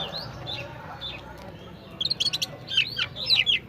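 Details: Oriental magpie-robin, known as kacer and kept as a fighter, gives soft scattered notes, then a quick run of sharp chirps and looping whistled phrases, over a low background rumble.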